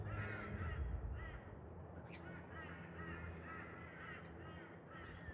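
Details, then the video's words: Pair of wild Galahs, pink Rose-breasted Cockatoos, bonding high in park trees; rapid series of scratchy, slightly metallic chatter notes, fairly loud, with a deep continuous hum beneath. "I heard a strange sound at the park... then I saw THIS 😳🦜 (Wild Galah Romance)"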